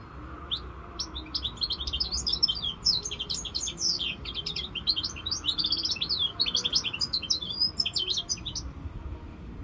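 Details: Continuous bubbling twitter from a five-month-old goldfinch mule hybrid, with rapid high chirps, rising and falling slurs and short trills, sustained for nearly ten seconds over a soft room hum.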